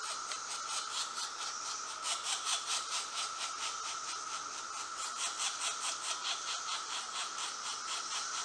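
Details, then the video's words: Two pileated woodpecker chicks in a nest hole beg while being fed, a run of harsh rasping bursts repeating roughly twice a second over a steady hiss and an unbroken high hum. "Feeding two pileated woodpecker chicks in the hole!"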